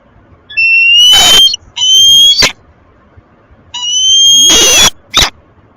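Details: Peregrine falcon pair mating at Tilburg Westpoint on 9 March 2026 at 07:42, giving loud, drawn-out whining wails with a steady high pitch and bright harmonics, in three long bouts and short sharp notes over about six seconds.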